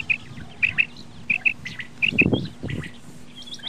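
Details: Common quail giving quick paired notes, clear and liquid, repeated three times at roughly half-second gaps, followed by a low rumbling thud and faint scattered chirps.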